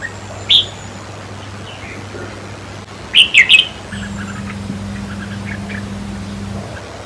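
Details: Song of a red-whiskered bulbul meant to excite caged birds: one sharp note, then a tight burst of three clear whistled notes a few seconds later, with faint softer chirps and a low hum behind.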